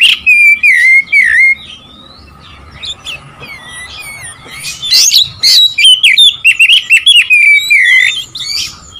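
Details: Oriental magpie-robin song meant to provoke rival birds: loud, varied whistled phrases with rapid trills and twisting slurred notes, a quieter gap mid-way, then a fast stuttering run of bright notes.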